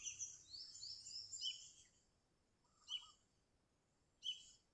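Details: Energetic sooty-headed bulbul song meant to call rivals and lure birds: a rapid run of rising, slurred chirps, then two short sharp calls spaced about a second and a half apart with a low trill.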